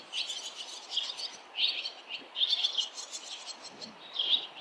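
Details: Close, loud twittering from barn swallows as a nest fledges amid many swallows flying along the street and parents arriving. Dense clusters of high chirps burst out roughly every second, with brief pauses between.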